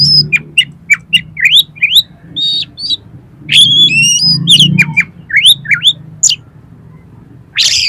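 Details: Oriental magpie-robin in full song rich with mimicked material, used as a lure for competition birds: a rapid run of sharp whistled notes, upslurred chirps and buzzy trills, with steady low hum beneath.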